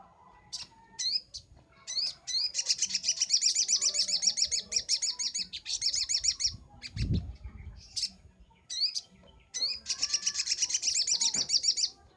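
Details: Master recording of a sunbird for training songbirds: long fast high trills of repeated buzzy notes broken by short sharp chirps, with a brief low thump midway.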